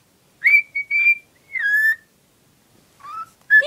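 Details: Pet female cockatiel, always in love with a cuddly toy and happy to show it, gives a few clear whistled notes, a level high note then a falling slur, ending with short rising chirps after a pause.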